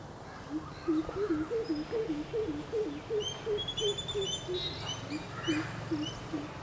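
A greater coucal gives a long series of deep, hollow hoots, about three per second. The series rises slightly, then sinks. Small birds chirp thinly in the background.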